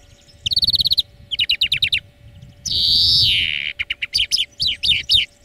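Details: European greenfinch song from a bird-training song lesson: rapid buzzy trills, a long nasal wheeze that slides downward, then more quick chirping trills, with a steady low hum underneath.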